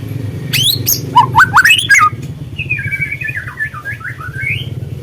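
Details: White-rumped shama, speckled young murai trotol, lure recording to spur birds into song: a few loud upswept whistles, then a softer wavering warble fading under background hum.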